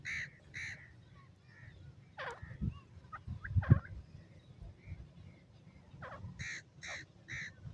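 Golden pheasant giving short, harsh, nasal notes in quick bursts of three or four, over a steady low rumble and a few thumps.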